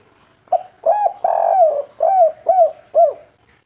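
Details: Kuk 3 cooing of a local wild spotted dove: a brief opening note, a long mellow hoot that sags at the end, then three evenly spaced arching coos.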